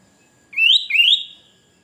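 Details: Sooty-headed bulbul singing to lure wild birds and call rivals: two loud, clear whistled notes, each sweeping upward, given in quick succession with a short gap, against a quiet background.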